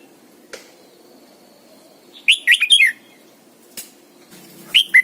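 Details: Red-whiskered bulbul lure bird with morning song used for training: one rich burst of fast, chirpy warbled notes midway, then a short rising note at the end, over quiet background.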